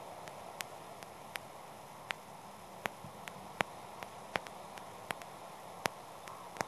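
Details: Steady hiss of static broken by sharp, irregular clicks, about one every half second, with no animal sounds.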